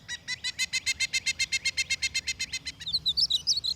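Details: A Pileated Woodpecker in the lush, swampy forest of Palmetto State Park, central Texas, gives a loud, ringing, jungle-like series of about eighteen even notes, roughly six per second, before a different bird's high, thin chirps take over.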